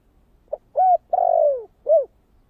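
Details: Spotted dove, thổ kích bổi cooing style, giving one clear phrase. A soft short note comes first, then an arched coo, a prolonged coo gliding down in pitch, and an arched closing coo, with silence around it.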